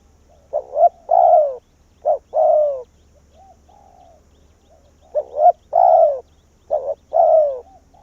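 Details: Caged spotted dove used as a decoy, luring wild doves in to its tree in Vietnam. Loud phrases of a short double coo and a longer descending coo repeat steadily, with softer, level coos from a more distant dove in between.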